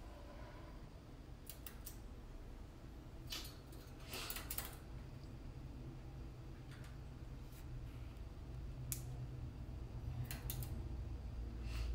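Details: Sharp clicks and snips, like scissors or keys handled indoors, over a low steady hum from a fan or room noise, with no bird voices.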